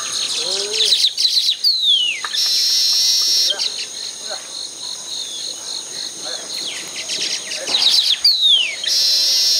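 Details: Baya weavers at their hanging nests in a tropical habitat: high, dense chattering with quick notes, several downward-sliding whistles and long buzzy wheezes, with a few lower chirps early on.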